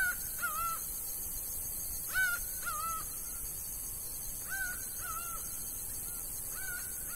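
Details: Laughing falcon singing in the sertão of Bahia: paired, slightly downslurred nasal notes, each pair about half a second long, repeated several times over seven seconds against a steady high hiss.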